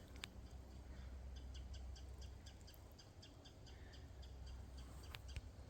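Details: A Winter Wren calling in a boggy, seepy swamp forest in Hillsdale, Rhode Island: sharp, dry chip notes, singly and in loose pairs, over a low steady rumble of wind or distant noise.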